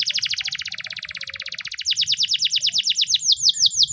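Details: White Timbrado canary training song: a rapid even rattling trill shifts into louder, bright, slurred notes repeated several times a second, faint low rumble underneath.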